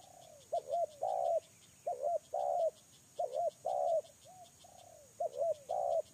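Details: Spotted dove used for luring, calling in loud phrases of a clipped double coo and a drawn-out coo, several phrases in quick succession, with a steady insect ticking in the background.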